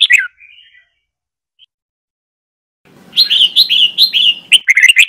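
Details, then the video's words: Red-whiskered bulbul singing the Trà My style, played for song training: a short descending whistled phrase, a silence, then a lively rapid series of rich whistled notes over a low rumbling background. "Chào Mào Trà My SỔ BỌNG DÀI .Luyện Chào Mào Hót Giọng Trà My Cực Hay, Ép Má Trắng Học Giọng"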